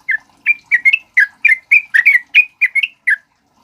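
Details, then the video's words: Continuous chattering song of a male sooty-headed bulbul, meant as a lure and tutor for other birds: a brisk series of short liquid notes, about four per second, alternating slightly rising and dipping phrases. "SUARA BURUNG TRUCUK KEBO GACOR NGALAS COCOK BUAT PANCINGAN DAN MASTERAN"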